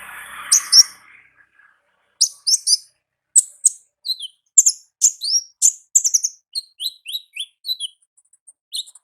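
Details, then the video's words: Wild olive-backed sunbird singing ngalas song. Soft rustling is heard at the start, then an accelerating run of high, clipped chirps and short, falling whistled notes packed closely together. "Suara Asli Ngalas Konin Ninja di Alam Liar"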